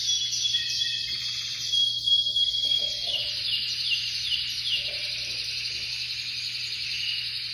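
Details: Spanish canary (espanholinha breed), ringed bird number 55, giving a long continuous high song of fast rolling trills and chirped notes, with brief faint lower sounds in the background and a steady low hum.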